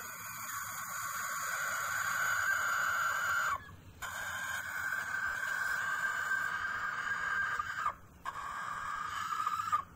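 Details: Aseel rooster kept with hens, crowing in the morning around mating time: long, drawn-out, harmonic-rich notes held for several seconds, each ending with a brief drop before the next long phrase.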